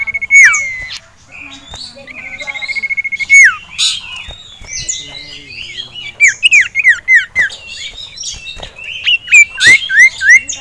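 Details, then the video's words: Male sirtu (Ashy Tailorbird), kept in a cage, agitated at seeing a rival and a female: long level trilled note, then sharp downslurred whistles repeated about every half second amid busy chirping of other caged birds. "CIPOW Ngamuk Melihat SIRTU JANTAN Dan Betina"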